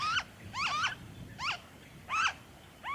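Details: Noisy friarbird from Victoria, Australia, recorded in February 2023, giving a few coarse, twangy two-part notes with a rising then dropping tone, spaced irregularly, with low rumbling background noise.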